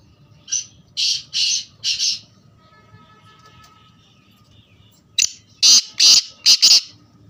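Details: Black francolin giving a loud, harsh, rasping phrase of three scratchy notes, then after a pause a second, longer series of five grating notes, with a faint low hum behind.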